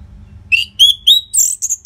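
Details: Short loud phrase by an Orange-headed thrush from Bali, Indonesia, used to get caged birds singing: three rising whistled notes followed by quick high slurred whistles.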